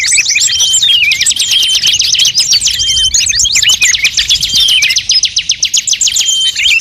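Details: Lure track combining the calls of many birds, among them magpie-robin, shama, shrike and bulbul. Busy, shrill chatter of fast trills and looping whistles. The layered chorus becomes more clipped and stuttering toward the end.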